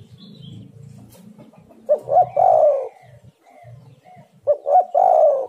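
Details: Spotted dove lure call: two phrases of short coos each ending in a long mellow coo, over a low murmuring background at the start.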